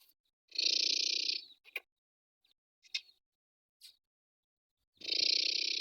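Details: Young first-season male black francolin, recorded 28 December 2023, gives two loud, harsh, grating bursts, each about a second long, with a few faint clicks and scrapes in between.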